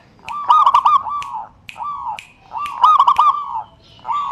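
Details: Zebra dove lure song meant to spur reluctant birds: long sliding coo notes broken by short clustered bursts, repeated in two or three phrases over low background noise.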